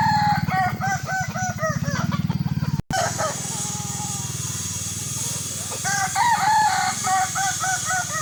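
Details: Kukuak Balenggek rooster at a crowing sparring session: bursts of short, chopped, bouncing crow syllables at the start and again near the end, over a constant engine rumble, with a brief cut in between.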